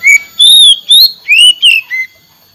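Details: Oriental magpie-robin song in a therapy recording for a bird that has stopped singing: five loud, clear whistled phrases, some long and level, others rising or dipping, separated by short gaps, with no other sounds.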